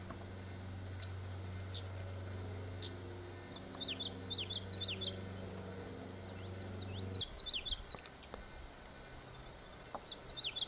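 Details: Common yellowthroat song of quick, rolling, repeated high phrases in several bursts, with a few sharp clicks and a constant low hum that stops partway through.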